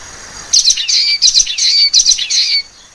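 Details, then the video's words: Common waxbill uttering a rapid two-second run of high nasal chirps, each note buzzy with a short rising and falling sweep, several notes slurring together. "橫斑梅花雀/Common Waxbill"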